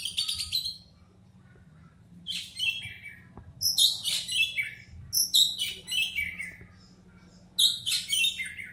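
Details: Oriental magpie-robin singing in the "batuk" (cough) style: short, loud phrases of high scratchy notes that slide downward, given in bursts about a second apart with brief silences, over a low steady hum.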